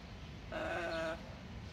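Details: Pet yellow-naped amazon parrot mumbling while following its owner around indoors; one drawn-out, nasal, bleat-like vocalization lasting under a second, with steady low hum in the background.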